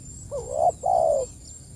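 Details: Spotted dove calling its companions: one low, hollow two-part coo, a short wavering note followed by a longer, steady, slightly falling one, over a faint steady high hiss.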